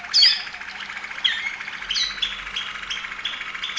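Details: Singing Waterslager Malinois canary from Serbia: sharp bright notes open, then a steady run of watery bubbling phrases with faint, evenly spaced accents.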